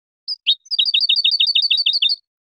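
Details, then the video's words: European goldfinch from a CD recording: two brief chirps lead into a rapid, evenly spaced string of bright, twittering notes that hop up and down in pitch, with no other sounds. "CD JILGUERO"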